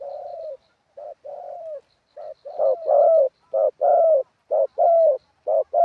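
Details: Spotted dove, ground decoy, wild-style song. A softer, more distant dove coos first, then a louder bird joins with crisp short-long coo pairs at about one per second, the two voices overlapping.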